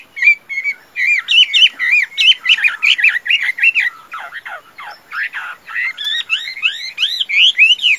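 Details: Chinese hwamei, tame and rated a good singer and fighter, gives bouncing whistled phrases that rise and fall, interrupted midway by harsher squawky notes, then resumes with loud looping whistles.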